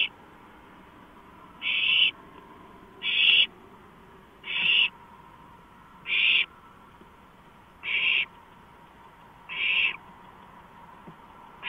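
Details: At 2:05 AM on 5 April 2015 an owl on a porch repeats a harsh, noisy screech about every one and a half seconds, seven bursts in all, with a low steady hum underneath.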